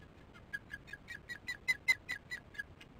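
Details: At a nest camera on 22 July 2015, 19:08, an osprey gives much alarm while chicks are fed: a clear string of about twelve sharp whistled chirps, five per second, swelling in loudness then fading, over a quiet background.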